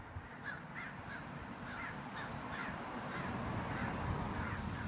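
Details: Two large crows harassing and chasing a hawk with a three-foot wingspan away from their colony; harsh caws repeated rapidly, about three or four per second, over steady low rumbling background noise.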